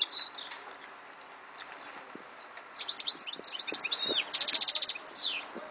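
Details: European goldfinch song recorded in 2014, opening with a lone buzzy note, then after a quiet gap a lively run of slurred whistles, rapid repeated tinkling notes and a falling buzz.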